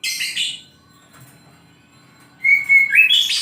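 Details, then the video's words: Morning song of an oriental magpie-robin: a short bright chirping burst, a long quiet gap, then a clear sustained whistle that steps upward into a rapid run of high notes. "KICAU KACER DI PAGI HARI"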